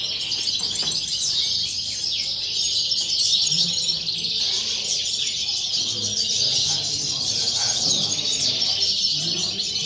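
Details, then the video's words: European goldfinch singing in the 'eléctrico' style: an unbroken stream of rapid, high twittering and tinkling chirps that runs for about ten seconds without pause, over a low background rumble. "Jilguero pegando eletrico"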